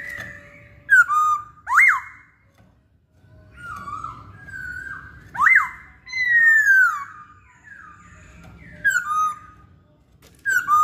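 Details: Poksay Hongkong (masked laughingthrush) in full song: a run of clear whistled phrases, some swooping up sharply, others sliding down into drawn-out level tones. They come almost continuously with brief pauses, over a low indoor rumble.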